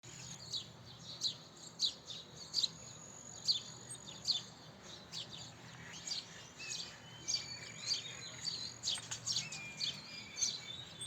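House sparrows give short, bright chirps in quick irregular bursts, several birds overlapping, with a thin high whistle and faint low hum behind.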